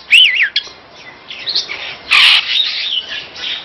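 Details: Superb starling, called Jalak Afrika, presented as a master bird for song: rapid looping whistled notes near the start, a sharp click, soft warbles, then a loud harsh rasping burst and further thin chattering phrases.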